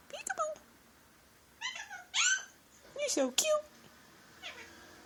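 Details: Talking male Indian ringneck parrot indoors, known to say peek-a-boo, give me a kiss and thank you; a series of squeaky, speech-like syllables in several bursts with rising and falling harmonic sweeps, a person speaking softly in between.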